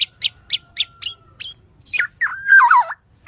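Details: Black-naped oriole in a training recording: six quick, evenly spaced high chips with a thin steady whistle beneath, then a falling slurred note and a loud, wavering squealing phrase.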